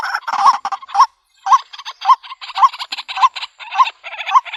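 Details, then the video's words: Calls of a white-breasted waterhen, used as a lure for trapping birds in the country. Rough, nasal croaks come in short bursts, each ending in a sharper accented note, at a steady pace of nearly two per second. "Bird Sounds White breasted Waterhen Bird ( Water Cock Soun)"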